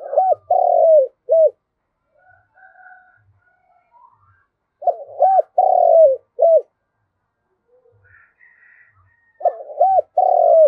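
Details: Spotted dove used as a decoy, cooing to call its flock. A phrase of two short coos, a long sustained falling coo and a final short note repeats roughly every four to five seconds. Faint distant chirps lie between the phrases.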